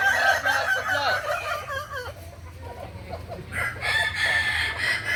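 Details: Kukuak balenggek chickens at a crowing match in Kota Solok, May 2024: loud overlapping crows with sliding, stepped notes at first, a dip into softer broken calls, then a fresh sustained harmonic crow from about 3.5 seconds, over constant low hum.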